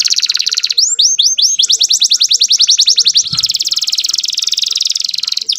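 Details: Young domestic canary singing a full, varied song used to bring female canaries into breeding condition: fast buzzy trills, rapid repeated high chirps, then a dense rattling roll, continuous and loud throughout.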